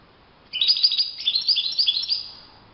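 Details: European goldfinch singing in the wild: a single lively phrase of about two seconds, rapid tinkling and chattering notes strung together with bright metallic accents. Calm, quiet surroundings.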